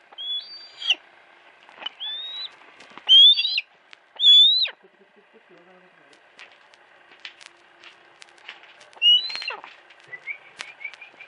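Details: Captive female hawk kept at a house, calling with thin, high whistled notes that bend down at the end, given in a few irregular bursts with quiet gaps, faint human voices in between.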